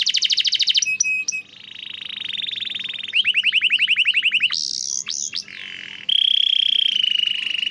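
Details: Canary song used to train and stimulate canaries that sing little: buzzy trills and clipped notes, a sustained roll, a quick series of rising whistles, sharp sweeping notes, and a final steady flat roll.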